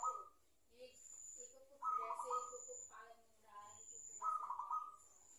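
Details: A wild-caught zebra dove that is just starting to learn its song gives soft, rolling, slightly hesitant coos in three bursts about two seconds apart, over a faint steady high-pitched whine.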